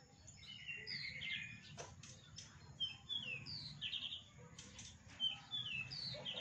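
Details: Javan bush lark imitating other birds, including prinia, canary and flycatcher, in a clear, loud voice. High, quick slurred whistles and chirps come in irregular bursts, with a few sharp clicks and a low background hum.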